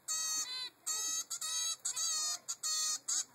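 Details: Three-week-old zebra finch chick demanding food from its mother; about seven drawn-out, nasal, harmonic-rich begging calls in quick succession, separated by short gaps.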